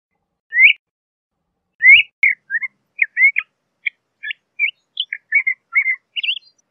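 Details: LeConte's thrasher singing: two rising slurred whistles, then a quick string of short varied whistled notes and chirps, bright and high, with brief pauses between phrases.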